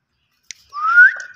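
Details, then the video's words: Green ringneck parrot voice: a faint click, then one loud whistled note rising smoothly over about half a second and ending in a short level tail, in a quiet room. "Gareen Ringneck Parrot Talking Vice"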